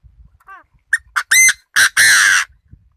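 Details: Decoy Chinese francolin calling: a soft opening note, then loud harsh clipped notes building quickly into two long, rasping, buzzy blasts, with near silence between phrases.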